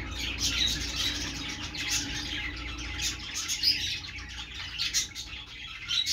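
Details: Perched budgerigars singing a steady stream of high chatter and chirps, with a faint low hum running underneath throughout.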